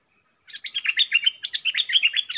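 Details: A decoy bulbul singing energetically, recorded August 2021: a steady, lively stream of bright warbled notes, roughly eight to ten per second, bubbling up and down without pause.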